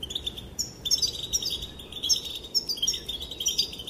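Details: Female European goldfinch calling to set the males dancing: rapid, continuous high twitters with liquid trills and short chirped accents, under a few brief pauses.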